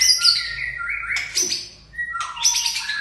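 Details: White-rumped shama of the Aceh type giving rich slurred whistles and a short harsh burst, then another bright whistled phrase after a brief gap.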